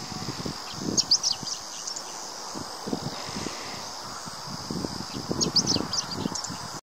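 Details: In summer at the Kita-Fuji training area in Japan, a chestnut-eared bunting, seen straining and dropping something, gives two brief bursts of high, sharp chipping notes about four seconds apart over steady insect hum and low wind buffeting.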